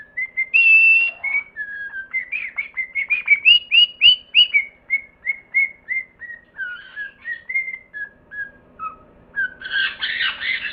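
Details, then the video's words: Parrot producing a long series of short whistled notes, rising then slowly stepping down in pitch, about three per second, ending in a burst of harsh chatter. "Animals sounds: bear, cat, dog, parrot, ducklings."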